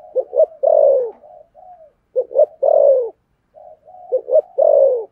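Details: Spotted dove in the 'thổ sấm' voice style gives low cooing phrases: faint soft lead-in notes, two quick hoots, then a long, full coo that sags in pitch. There are two full phrases.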